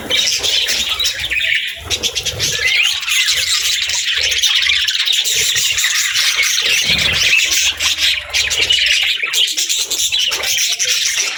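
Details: Budgerigar family, parents and chicks, in soft bonding and feeding moments; unbroken, dense twittering chatter of many quick high notes, with a few brief pauses and faint low rumbles underneath.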